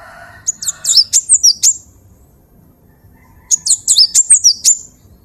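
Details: High, bright phrase from a cinereous tit (gelatik batu) used as a vocal master for training birds. It has two bursts of rapid, down-slurred whistled notes, each about a second long, separated by a two-second pause, with a brief low buzz at the start.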